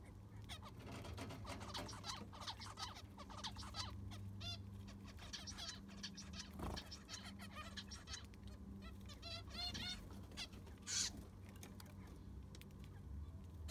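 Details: Zebra finches kept in an aviary, sand freshly replaced, calling in a dense chatter of short nasal notes from several birds, with a clatter and low droning hum behind.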